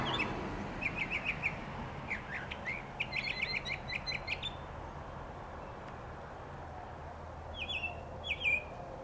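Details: Mockingbird singing in short bursts of repeated chirpy, trilled notes, then a pause and a couple of sharper whistled phrases near the end, over steady outdoor background noise.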